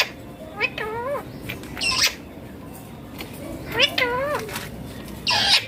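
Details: Indian ringneck parakeet giving wavering, warbled chattering notes in short phrases, alternating with brief harsh high squeaks, against steady background noise.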